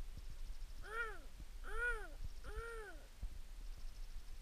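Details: Himalayan snowcock at Machhermo giving three arched, rich harmonic notes that rise then fall, spaced under a second apart, over a quiet low background rumble.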